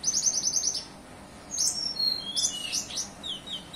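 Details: Song of an olive-backed sunbird with cililin material: a fast run of high rattling notes, a pause, then a tumble of thin, sweeping, squeaky whistles.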